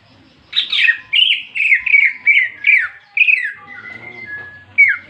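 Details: A greater green leafbird in a fighting-song recording meant to provoke other leafbirds pours out a rapid run of loud, rich chattering and whistled phrases, each slurring downward, with a brief quieter pause near the end.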